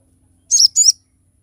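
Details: Crested jay (sogok ontong) in sharp training and lure song: two closely spaced, high, buzzy, wavering notes lasting about half a second, otherwise quiet.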